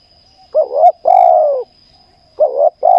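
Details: Spotted dove heard during a ground decoy-luring session: deep, rich cooing phrases, a short wavering double coo followed by a longer, slightly falling croon, with a faint steady high whine throughout.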